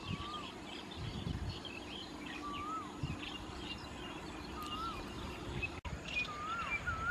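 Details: White-vented myna feeding on Ficus rumphii figs in rice fields at Khao Yoi, Phetchaburi, Thailand, 28 March 2016; clear whistled notes that rise then dip, repeated about every one to two seconds over steady rural background noise and faint chatter.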